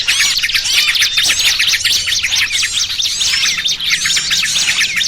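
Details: Small birds in a lure recording used for trapping, a dense noisy mix of many overlapping high, sharp chirps and rapid twittering trills, densely packed with no pauses, with a faint low hum beneath.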